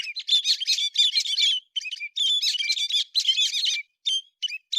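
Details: September 2020 héc xoan bird: dense, scratchy twittering with whistled squeaks, delivered in quick rolling phrases with only short breaks; clean recording.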